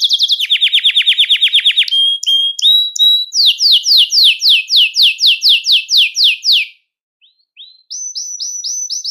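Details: Belgian canary song meant to attract and call canaries, opening with a fast buzzy trill, then short whistled notes and a long series of downward-sweeping whistles, a brief pause, and quick high chirps.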